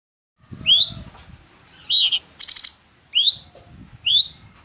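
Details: Orange-bellied leafbird song used as training material for songbirds: short bright whistled notes sweeping upward, given in separated bursts about once a second, with one rapid buzzy rattle in the middle.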